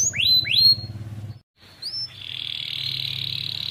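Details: Canary singing a masteran training song meant to get silent young canaries singing: two quick rising whistled sweeps, a brief pause, then a steady, buzzy high trill, over a low background hum.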